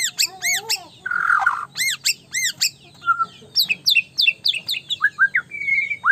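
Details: White-rumped shama singing hard, claimed to make rivals angry: high arched notes, a harsh buzzy burst, more arches, then a tumbling series of quick descending whistles and a sustained clear note.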